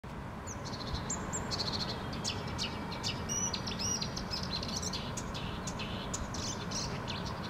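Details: Mystery songbird, mostly hidden, in Helsinki, Finland, sings quick, high chirps and short twittering notes scattered through, over a steady low rumble of wind or distant traffic.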